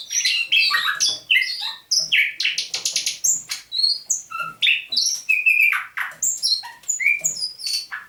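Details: Dawn song of a caged thrush nightingale, taken near St Petersburg in May 2019, recorded 27 November 2021: rapid, varied notes, a short rattling burst, then clear, rising and falling whistles.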